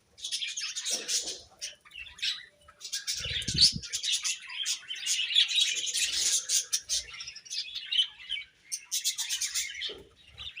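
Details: Morning chirping from budgerigars, a busy, almost continuous chatter of high warbling twitters and sharp chirps, overlapping and rising and falling in loudness, with a couple of soft low knocks.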